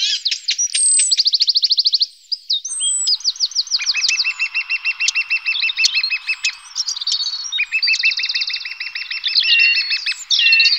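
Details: Lesser spotted woodpecker feeding its young, with rapid, even trills of high ticking notes, about three a second, layered over a lower buzzy trill of many overlapping voices, continuing almost without pause.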